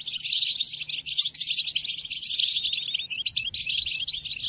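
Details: European goldfinch singing, recorded for training captive goldfinches during moult: quick, tinkling chatter of high tweets and buzzy trills flowing continuously over a faint background hum.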